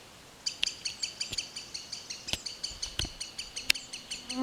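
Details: A green sandpiper (Tringa ochropus) in forest calls in a fast, steady series of sharp, high whistled notes, about five a second, with a few loud clicks and knocks in between.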